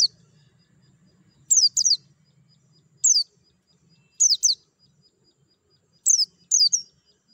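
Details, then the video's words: Crisp, high descending chirps from a white-eye in doubles and singles about a second apart, with a faint steady tone and low hum underneath; a sound meant to stimulate singing. "TERAPI PLECI MERANGSANG BUNYI CEPAT GACOR BUKA PARUH"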